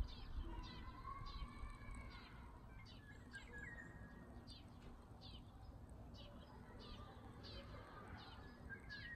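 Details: Unknown bird, often heard in early summer in a house yard and local alleys, giving short high downswept chirps repeated about every third of a second, with faint drawn-out whistles at the start and a low rumbling background throughout.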